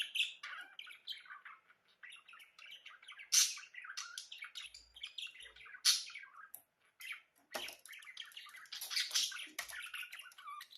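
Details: Budgerigars singing: a dense, continuous chatter of rapid high chirps, clicks and short whistled notes, with a few sharper squeaky bursts standing out.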